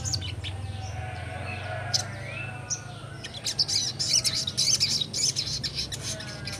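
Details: Young sogon in vigorous ngleper song: scattered thin high notes build into a rapid chattering series of bright chirps, about two per second, above a continuous low hum.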